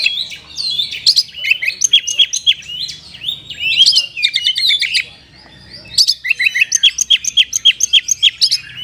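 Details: Oriental magpie-robin song, used to stimulate sluggish caged birds to sing: rapid varied high chirps and sharp whistled notes in lively phrases, a brief pause, then a fast repeated series.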